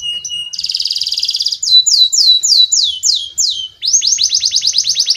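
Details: Domestic canary song used as a lure to train young canaries: a buzzy trill, then rapid descending whistled sweeps, ending in a fast rolling trill of repeated notes.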